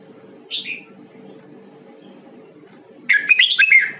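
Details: Hue-type red-whiskered bulbul at voice training, giving a short whistled note, then a long pause and a dense, rapid run of bright warbled phrases at the end, with a constant low background hum.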